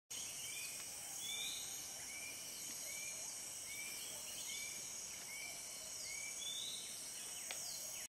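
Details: Grey-bellied bulbul, a rare lowland bulbul, at Congkak Recreation Park, Selangor, 7 July 2010, giving short, slightly arched notes about every half second over a steady, high insect drone.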